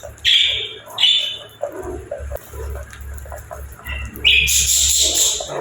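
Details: Pet budgerigars kept at an aviary give loud, high whistled chirps and short warbles, with a burst of harsh, broad chattering at the end over a low hum.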